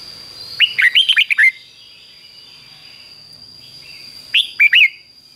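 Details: Red-whiskered bulbul giving the doubled "beun" song, fig-jig-fok, for training young birds to copy; a fast phrase of five or six slurred whistles, a pause of nearly three seconds, then a shorter three-note phrase, with a constant high hum.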